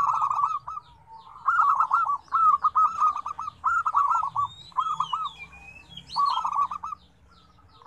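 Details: Zebra doves in a lively mix of five song combinations with different tones. Stuttering, rolling coo phrases of quick repeated notes, each about a second long, come in bursts with brief gaps. Thin high chirps and whistles from other birds sound faintly above.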